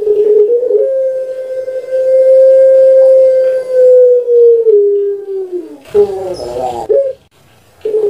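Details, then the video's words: Domestic puter pelung dove from Java, Indonesia, prized for its long sound: a drawn-out coo lasting about four seconds that slowly falls in pitch, followed by a bubbling rolled ending and a fresh coo starting. "Puter Pelung Suara PANJANG"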